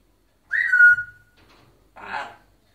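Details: Caged African grey parrot in Egypt that talks in a deep, man-like voice: a loud whistle falling into a steady tone, then after a short gap a brief, rough, speech-like syllable.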